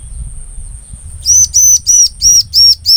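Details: Bar-winged prinia singing, recording used to lure the same species: after a second of low murmur and steady high hiss, six loud, clear, arched chirps repeat evenly about three per second.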